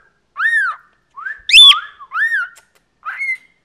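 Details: Chattering 14-year-old male pet cockatiel indoors: a series of clear arched whistles, each rising then falling, about four in under four seconds, one louder and higher in the middle.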